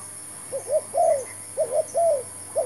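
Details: Spotted dove luring during trapping with a newly brought decoy: repeated low hollow phrases, two quick notes then a longer arched coo, about three phrases in under three seconds over a steady high hum.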